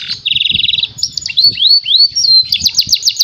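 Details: Domestic canary singing, used as a lure so that other birds will imitate it: a buzzy, even trill at first, then looping rising whistles, closing with another quick run of sharp repeated notes.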